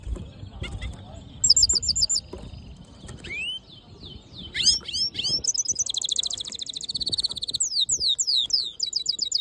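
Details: Hooded siskin mule, black-hooded and yellow, singing in a varied pattern: quick high chirp runs, rising whistled slurs, a pause, then long passages of fast buzzy trills and sweeping twittered notes.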